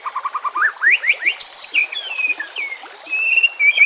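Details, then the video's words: Song of a White-rumped shama for luring and coaching mute birds, accompanied by gurgling water: a string of short repeated notes accelerating into sweeping upward whistles, then a high sustained note and long descending slurs. "PANCINGAN murai BATU pasti langsung TAK BISA DIAM | pancingan murai TERBAIK"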